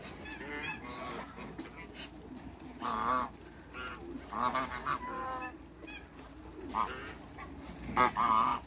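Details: A pair of domestic African geese in a backyard with other waterbirds give moderate, brief nasal honks spaced a few seconds apart over a constant background hiss.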